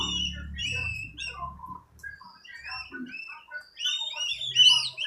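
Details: Recently bought oriental magpie-robin under training, singing freely: varied clear whistles and short warbled phrases, rising to a louder burst of high notes at the end, with faint low hum.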